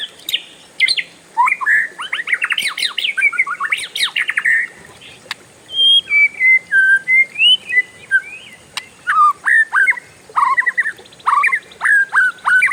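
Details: Oriental magpie-robin, a kept bird, in a long rolling song that other birds join: dense rasping chatter first, then a clean descending whistled run, followed by evenly spaced sharp chirps.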